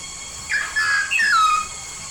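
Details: Papuan yellow-faced myna in full song: after a quiet start, three clear whistles in close succession, the last sliding down in a long smooth glide, over a steady high-pitched hum.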